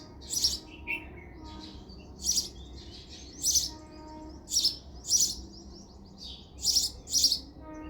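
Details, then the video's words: Repeated sharp chirps from a house sparrow, often doubled, coming roughly every second, with a low background hum. "House sparrow sound effect"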